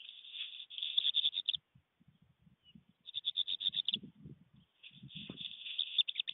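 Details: A black redstart in flight and singing at a stork nest in Fohrde on 24 September 2020: three quick, high, scratchy rattling phrases, each about a second and a half long, with faint low knocks underneath.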